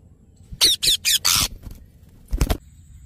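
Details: Yellow ringneck parrot letting out a burst of four loud, raspy shrieks close together, then a short harsh note after a brief gap.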